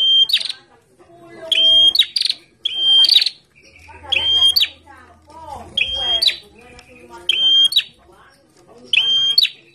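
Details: Caged Bar-winged prinia singing actively while set out in the sun: sharp phrases of a flat high whistled note ending in an abrupt upward flick, repeated about every one and a half seconds, with faint low hum and soft background chatter.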